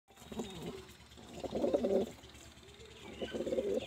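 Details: Pigeon cooing: three bursts of low, throaty, rolling coos, the longest in the middle, with quiet pauses between them.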